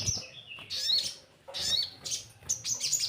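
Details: Lure of orange-headed thrush for untrained birds: short bursts of rich, swooping whistled phrases with scratchy twitters, each lasting about half a second, separated by brief quiet spells.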